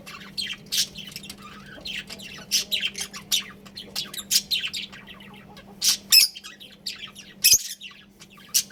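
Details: Pet budgerigars give scattered sharp chirps and harsh squawks in short bursts with brief gaps, over a steady low electrical hum.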